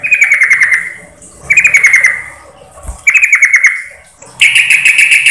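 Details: A female yellow-vented bulbul calls to a male with bursts of quick, bubbly chattering notes, about a second each, repeated roughly every one and a half seconds.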